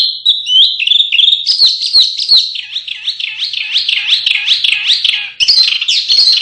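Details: Masteran canary song used to train contest birds: warbled whistles leading into a long run of repeated looping, wavering notes, then a sharp bright flourish near the close.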